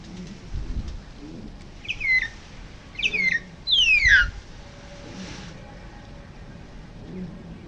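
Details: A Long-tailed Meadowlark at Río Gallegos, Santa Cruz, Patagonia, southern Argentina, sings three descending slurred notes. The last is a longer harsh wheeze sweeping downward, over a low background rumble.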